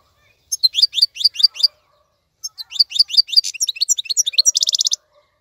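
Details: Song of a European goldfinch, used as a tutor song for young birds learning to sing: a short burst of quick sliding twitters, a brief pause, then a longer run of varied tinkling notes ending in a buzzy rattle.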